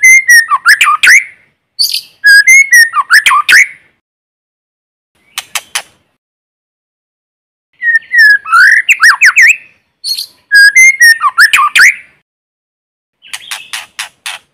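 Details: White-rumped shama, a lure bird in forest singing to stimulate newly caught birds, no background noise: repeated bursts of mixed whistles, chirps and harsh slurred notes with short gaps and a few dry clicking series between.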